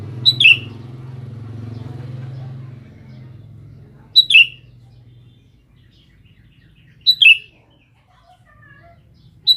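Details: Sooty-headed bulbul calling to females: short bright two-note phrases, a high note dropping to a lower one, repeated about every three seconds, with faint low hum between calls.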